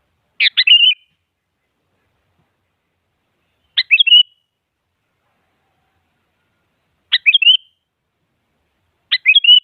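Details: Sooty-headed bulbul song meant to draw a rival into singing: four brief phrases of rapid stuttered notes ending in a fluty flourish, repeated roughly every three seconds, otherwise silent.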